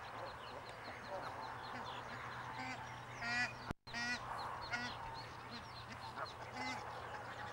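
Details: Barnacle geese with chicks in the Waveney Valley, Norfolk, UK: soft scattered honks and short yelping calls from several birds over steady low background hum, with a brief dropout midway.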